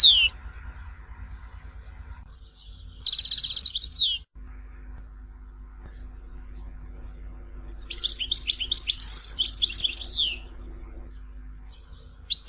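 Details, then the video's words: Tizi Ouzou goldfinch, Algeria, singing two separate bursts of fast, high, jangling twitters with buzzy trills and falling notes, long quiet gaps between them. "Chant chardonneret tizi ouzou تغريد حسون تيزي وزو"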